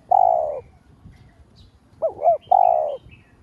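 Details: Spotted dove, a lure bird cooing to stimulate other doves: one long fading coo, then after a pause two quick rising-falling notes and another long steady coo.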